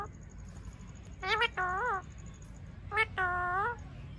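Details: A pet Indian ringneck, rose-ringed parakeet (Psittacula krameri), gives two drawn-out, voice-like calls a second and a half apart, each a short clipped note then a longer rising-falling one, over a faint steady hiss.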